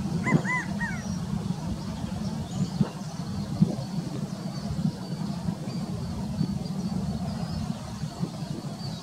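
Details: A male California quail at Mather Lake gives one quick three-note "chi-ca-go" call near the start, its notes arching and mid-pitched, then only steady low rumbling noise.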